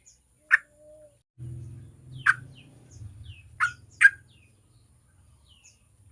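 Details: Yellow-vented bulbul song used as a lure to get other bulbuls singing quickly: short, loud, burry notes spaced a second or more apart, with a low rumbling hum between them and faint high chirps in the background.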